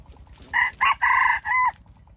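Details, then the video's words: Loud four-part crow of a red junglefowl, a wild jungle chicken caught with standard bait; tonal banded notes with a drawn-out third syllable and a dropping final note, faint ticking background. "Trap wild chicken with standard bait, crowing loudly"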